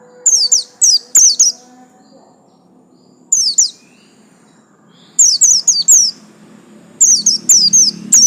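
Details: Caged white-eye singing bursts of sharp, high, downward-sliding notes in quick groups of three or four, with brief quiet gaps and a soft low background rumble.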